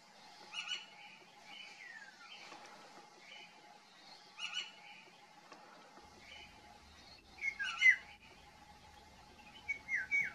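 Female Eurasian golden oriole giving short, harsh, scratchy calls every few seconds, some with quick downward slurs, over a faint steady background hum.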